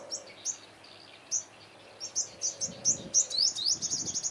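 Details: Olive-backed sunbird facing off against rival leader males where birds are trapped: sharp, very high chirps scattered at first, then quickening into a rapid run of clipped notes at the end over faint low rumbling.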